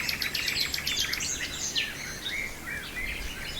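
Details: Nightingale singing in Brijeste: a rapid flurry of high chirps and short whistles, with a brief buzzy rattle near the start, over a soft background of other birdsong.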